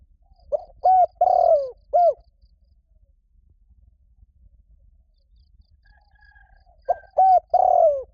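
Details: Spotted dove giving its mate-calling coo as a decoy to provoke wild doves: two full phrases about five seconds apart, each a short note then three hollow coos with a long falling middle coo, quiet gap between.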